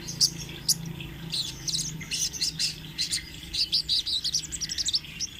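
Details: Sogon trotol sunbird singing a rolling master song for training birds: rapid series of high, sharp chirps and trills, accelerating into dense bursts, over a steady low hum.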